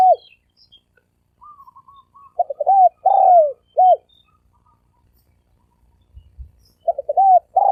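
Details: Spotted dove, 'thổ ồm vang' style, cooing quickly in repeated phrases. Each phrase has choppy introductory notes, a broad resonant coo falling in pitch and a brief arched ending, with faint higher whistles between phrases.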